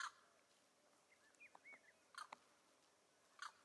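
A Neotropic cormorant gives three short, harsh croaks spaced a second or more apart, with a few thin whistled notes from another bird between them.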